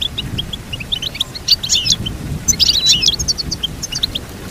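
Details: Goldfinch song for training a goldfinch to sing: dense, tinkling high twitters and quick chirps, with two louder jumbled bursts over a faint low rumble.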